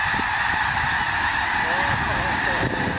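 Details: Snow geese on Fir Island, Washington, during February 2022, the whole flock rising into flight when an eagle flew over. A thick wall of honking, many birds calling at once in a steady, unbroken din.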